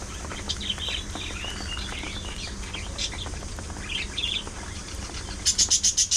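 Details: Pet budgies, parakeets kept together and seen singing, talking, squabbling and grooming, give soft scattered warbling chirps over a steady low hum, ending in a rapid burst of six sharp high clicks.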